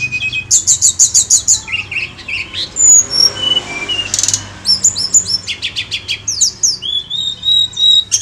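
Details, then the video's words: Sunda Robin lure song, full and vigorous: fast series of sharp high chips, varied slurred whistles, a harsh burst, then more rapid repeated notes and sweeping whistles, with steady low background hum. "PANCINGAN TLEDEKAN GUNUNG FULL GACOR"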